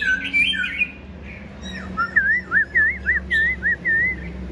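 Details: A tame black-throated laughingthrush (Pterorhinus chinensis), said to sing all day and here singing alone without a female on a very cold day, gives a harsher warbled opening, then clear, looping whistles, about two per second, over low room hum.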